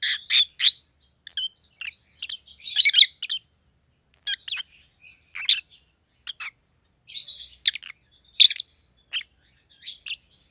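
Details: Pet rosy-faced lovebirds, a white-headed pallid opaline and a white-headed green opaline, produce scattered shrill chirps and scratchy twitters in irregular bursts with long quiet gaps.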